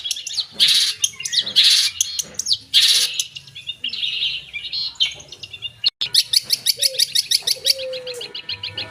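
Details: Long-tailed shrike song stuffed with imitations: loud raspy high bursts, then a run of rapid sharp ticks. A soft low whistle is heard twice in the background.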